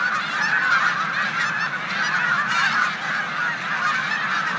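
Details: Large flock of snow geese resting in a corn field in Savannah, New York, on 14 March 2020 before migrating to the Canadian tundra, with resident Canada geese: dense, unbroken chorus of overlapping high honks and yelps.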